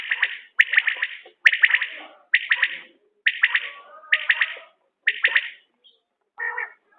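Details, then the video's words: Repeated calls of a common quail, linked to quail hunting: crisp bursts of three to five quick, bright notes roughly every second. Faint lower chatter runs underneath, and a softer, buzzier note closes the sequence. "بٹیر کی عمدہ بولیاں"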